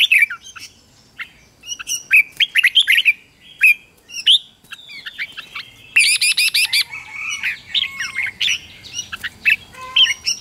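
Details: Red-whiskered bulbul morning song used to train wild-caught birds and spur them into fighting song: bright, fast whistled phrases with rising and falling notes, then a quick run of five clipped, ringing repeated notes and warbling trills.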